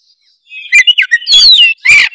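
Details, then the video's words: Short, loud Oriental magpie-robin phrase used as a lure for other magpie-robins: a few quick whistled notes leading into a long sweeping slurred whistle and a final harsh burst. "ampuh buat pancingan kacer langsung gacor denger suara kacer gacor satu ini"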